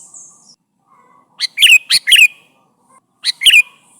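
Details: Calling Sooty-headed bulbul seeking its companions, for use as a lure: two groups of sharp, bubbly chirps near 1.5–2.2 s and 3.3 s, with a faint high hiss early on.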